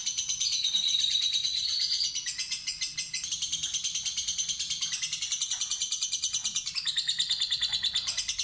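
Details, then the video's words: Fighter lovebird in an extended ngekek trill prompted by a lure: a continuous run of quick high chattering pulses, with thin whistled strands weaving above them, lasting over eight seconds. "Lovebird Fighter Ngetik Ngekek Terpanjang"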